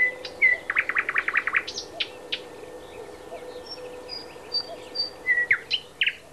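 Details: A thrush nightingale at Háj, Turčianske Teplice, Slovakia, sings a loud, varied phrase: a rapid series of about ten hard, repeated notes, then sharp whistles and thin high notes, over a low steady hum.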